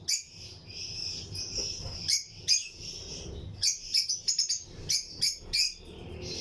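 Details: Chirping from lutino lovebirds in a breeding colony flight aviary shared with other birds: a sustained high buzzy chatter broken by sharp chirps, then a quicker burst of clipped notes near the end.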